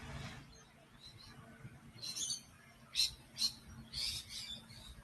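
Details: Rainbow lorikeets calling in the background near a lake in botanic gardens in Western Sydney; several short harsh high screeches in bursts, over soft outdoor murmur.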